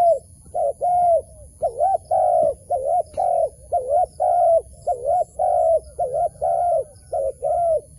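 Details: Wild dove at a trap gives short, hollow, mid-pitched coos in a rapid series, about two each second, over a faint steady high-pitched whine.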